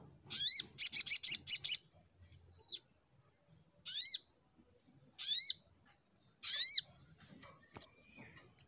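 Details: Little Spiderhunter (sogok ontong) in fighting mode, 'nembak' style, opening with a quick run of high repeated notes, then single piercing down-slurred chirps about every 1.2 seconds, with faint ticks near the end.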